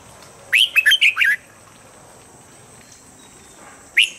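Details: Red-whiskered bulbul in morning voice training, giving a fast burst of five chirpy, warbling notes, then a pause of over two seconds before a single bright whistled note starts again.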